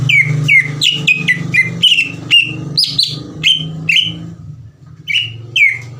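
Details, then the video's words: Lively greater green leafbird song meant to provoke and excite other leafbirds: a rapid series of clear whistled notes, about two per second, many dropping slightly in pitch, with a brief pause near the end. A constant low hum runs underneath. "PANCINGAN CUCAK IJO GACOR CEPAT MENAIKAN EMOSI CUCAK IJO LAIN"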